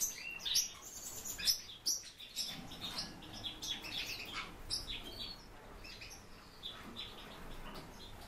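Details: Warbling white-eye kept as a captive bird, giving a busy run of high, thin chirps and twittering notes in quick irregular succession, with soft rustling and fluttering underneath.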